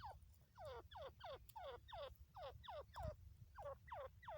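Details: Female partridge (teetar) from Pakistan, a voice used for hunting: a quiet series of sharp descending notes, about three per second, each sliding downward, over a low rumbling background.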